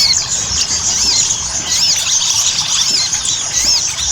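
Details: Ruby-cheeked sunbird lure recording for prompting song: sharp high chirps and arched, looping whistles repeated every half second or so above a dense, constant twitter.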